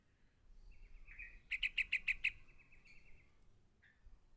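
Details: Yellow-vented bulbul chick calling to its parent: a thin sustained tone with a fast burst of six sharp, regular chirps on top, then a short slurred note.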